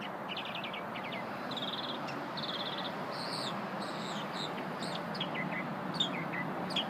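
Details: Small unidentified bird singing during a lunch-break encounter: short rapid trills and clipped high phrases, then scattered sharp high notes, over a steady loud rushing background noise.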